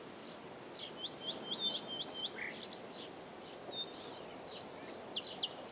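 Common nightingale singing a varied run of high chirps, quick repeated notes and brief whistles, heard over a steady hiss of background noise.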